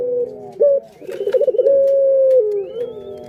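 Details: Barbary dove kept as a cage bird, its call used as a lure to stir other doves: a rolling, quavering coo breaks into a long steady mid-pitched note that drops at the end, over faint room noise.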